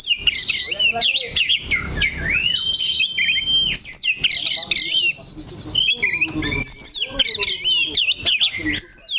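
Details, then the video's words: Oriental magpie-robin singing while fixed in one place on its perch: rapid, rich whistles with looping slurs, a long level note near the middle, and dense chattering trills, almost without pause. "KACER THE LOCO NANCAP 1 TITIK"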